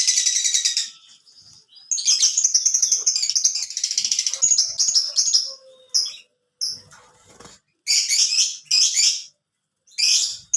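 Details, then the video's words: A long canary song: shrill rolling trills run for several seconds, then break into separate bursts of high chattering notes with short silences. "Surganya Burung Kenari"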